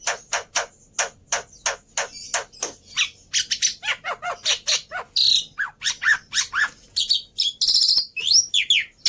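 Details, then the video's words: Black-winged myna song for luring and tutoring birds, said to have full fill and be easy to imitate: a run of regular sharp calls, then mixed chatter, rasps and slurred whistles. "Pancingan Plus Masteran Burung Jalak Putih full Isian Mudah Di Tiru"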